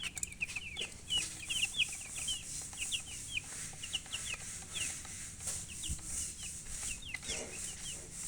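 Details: Busy chirping of colored chickens, a steady stream of brief high falling and rising peeps, often overlapping, continuing for several seconds with light background hiss.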